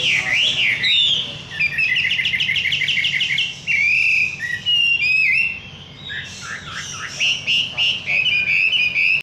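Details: Energetic song of a wambi bird: a looping whistle, then quick rattling trills, sliding whistles and bursts of chirps in a dense, varied sequence, with a low background hum.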